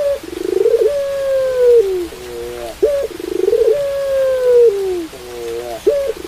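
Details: Pelung-style Barbary dove coos in a repeating cycle: a throbbing roll swelling into a long, level hoot that slides down, then stacked short notes and an abrupt upward yelp, about every three seconds.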